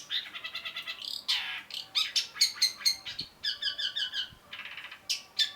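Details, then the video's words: Cendet or long-tailed shrike song, full and chattering: rapid rattling trills and buzzy phrases alternating with sharper whistled notes in quick succession. "cendet gacor MASTERAN CENDET BAHAN AGAR TIDAK MACET SUARA || Long-tailed Shrike"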